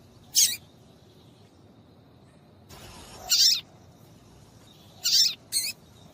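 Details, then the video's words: High, thin chip notes from a female papa-capim seedeater, whose calls are used to warm up males to sing: four notes in six seconds, the last pair quick together, with a soft hissing rustle between. "MELHOR PIADO DE FÊMEA DE PAPA CAPIM PARA DEIXAR SEU PAPA-CAPIM DOIDO PARA CANTAR LOGO!"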